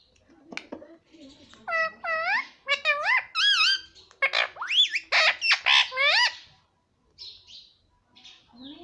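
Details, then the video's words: Pet parrot talking indoors, rapid bursts of bent, harmonic syllables and squawks in quick succession, then a pause and a few softer calls. "parrot talking papa || parrot talking mummy"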